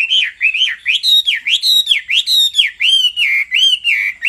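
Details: Male Hwamei singing after a female's calls: clear, looping whistled notes that rise and fall, repeated about one and a half times per second in a steady, fluid phrase.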